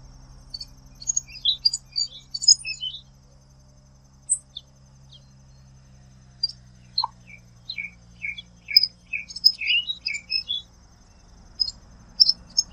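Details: Common waxbill song: a lively run of high, twittering chirps and short descending notes, dense in the first three seconds, a pause, then another jumbled burst of sharp high notes; a faint steady hum sits beneath.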